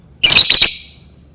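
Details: A lovebird sound meant to coax lovebirds into learning to sing: one loud, shrill, grating squawk of about half a second that fades away, with a quiet background.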